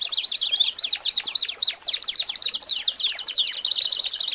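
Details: American singer canary tutor song for training young birds, made up of scratchy, chattering notes that cross and tumble at about four per second in a busy, jumbled phrase.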